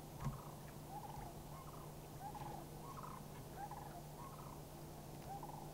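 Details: Three Sandhill Cranes in Far North Bicentennial Park, Anchorage, Alaska, on May 1, 2011, answer a flock flying past: rolling, rattling trumpeted notes repeated roughly every half second over a steady low hum.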